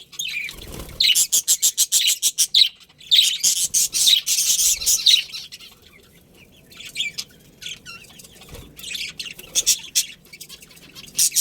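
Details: Budgerigar breeding pair in a colony, opening with a fast train of buzzy high chirps, then fading into softer, sparser twittering toward the end.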